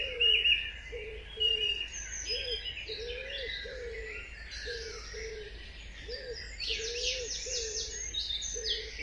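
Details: Birds in an early morning dawn chorus: a low, mellow, arched whistle repeated roughly every second, overlaid by scattered higher chirps and twittering from several other birds, with a steady background hiss.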